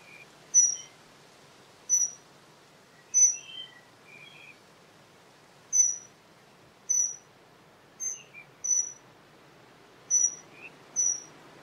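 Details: Dunnock (Prunella modularis) giving a series of thin, high, piercing notes, singly or in pairs, irregularly about every one to two seconds, with occasional softer lower twitters between them.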